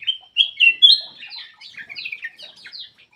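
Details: Black-crested bulbul lure song for reluctant singers: three loud, clear whistled notes, each pitched a little higher than the last, then a run of quicker warbled and chattering phrases.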